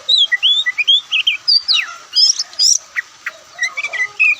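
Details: White-breasted Oriental magpie-robin (kacer) song from Indonesia, loud and varied: rapid whistled slurs rising and falling, harsh buzzy notes and quick chips in a busy, tumbling stream.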